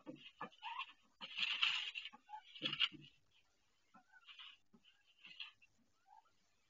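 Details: A pet duck laying her first egg indoors on her nest, calling in pain; bursts of harsh raspy cries interspersed with soft short quacks and pauses in a small room.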